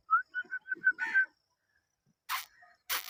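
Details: A pet rose-ringed (ringneck) parakeet gives six quick, clear whistled notes, then a harsh chattering phrase, followed by two rough, noisy screeches.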